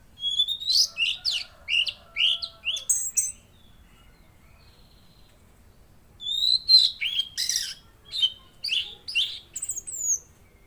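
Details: Active singing from a Velvet-fronted Nuthatch: two bursts of quick, high, downward-slurred whistled notes, roughly three per second, separated by a silent gap of about three seconds.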